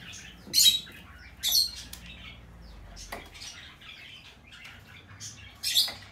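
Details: Hand-tame green-cheeked conure chick of the red-cheek pineapple colour, recorded 25 April 2020, gives harsh, hissy squawks in short bursts, a few loud ones about a second apart, then scattered fainter rasps, over a quiet hum.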